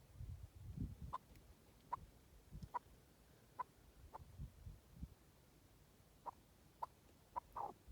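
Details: Wild partridge repeating short, clipped cluck notes at uneven intervals of about a second, with low rumbling background noise early on.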